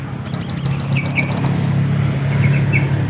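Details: Black-capped white-eye delivering a fast, high, repeated twittering phrase of about eight notes, followed by a few softer lower chirps, over a steady low hum.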